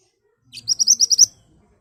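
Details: Ashy tailorbird in full song, played as a lure to make birds respond: a single quick burst of roughly seven sharp, ringing high notes in even rhythm.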